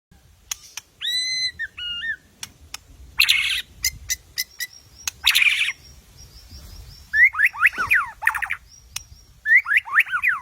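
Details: White-rumped shama song used as a lure to provoke another bird into singing: sharp repeated clicks, a whistled two-note phrase, buzzy rattles, then bursts of descending fanned trills near the end.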